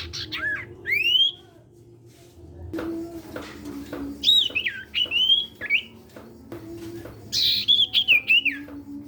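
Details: Cipow sirtu, an ashy tailorbird in full song used to prompt other sirtu birds to sing, gives repeated upslurred and wavering high whistles in bursts over several seconds, with some low knocking sounds between.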